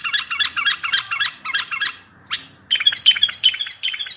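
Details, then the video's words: Strong bulbul song meant to draw replies from distant bulbuls when trapping. A run of quick, evenly spaced chattering notes gives way after a gap to sweeter whistled phrases. "اصوات بلابل تغريد بلبل قوي ينطق الاخرس كذلك للصيد البلابل الاخرى يجيب البلابل البعيده"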